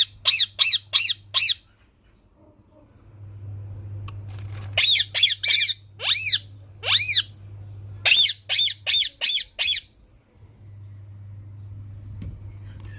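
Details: Green parrot producing bursts of harsh, arched squawks. A few longer, smoother downward-sweeping notes appear in the middle, with a constant low hum underneath.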